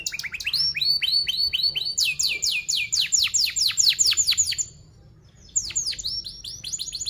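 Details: Canary lure song for training young canaries, fast and tightly packed "cuit cuit" rolls: runs of high, downward-sweeping chirps in quick series, changing pitch between runs, with a brief pause before the chirping resumes.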